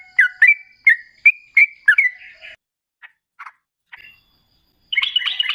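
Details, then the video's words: Sooty-headed bulbul in vigorous rolling song, played as a lure to make other bulbuls answer; a quick run of bubbly, slurred whistled notes in the first half, then scattered short notes and a final burst of warbling. "Suara TRUCUKAN GACOR Ropel Ngalas Pancingan Trucukan Agar Bunyi"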